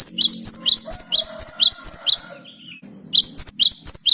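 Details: Energetic Great tit song for use as a lure, 'ngerol' style: a long fast series of shrill, paired high whistles, a brief lower slur, then the rapid phrases resume over a faint low hum.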